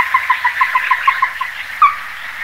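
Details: Ruddy-breasted crake: about nine short, hollow notes in a quick row, then a pause and one louder, sharper note, against soft background noise.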